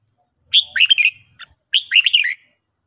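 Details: Red-whiskered bulbul, a kept bird being trained to sing in the morning, gives two quick bursts of bright, warbled notes with rising and falling slurs, separated by a short pause.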